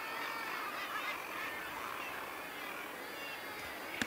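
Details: A dense breeding-colony chorus of harsh, grating calls from northern gannets at Bempton Cliffs, overlapping without pause.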